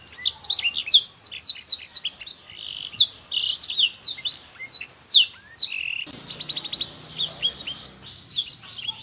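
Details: Canary singing as a teaching recording for young birds, played repeatedly so they sing sooner: rapid bright chirps and whistles for six seconds, then a harsher buzzy rattling roll and more warbled notes.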